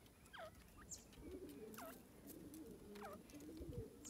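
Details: A forest grey francolin, the gadra teetar, repeats a quick downward-sweeping note three times. Steady, soft cooing from doves fills the lower background.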